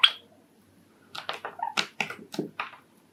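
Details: Courtship song of a pet male Sakura Java sparrow indoors. It opens with one sharp high note, then a pause, then a quick run of clipped, clicking chirps and brief tonal notes.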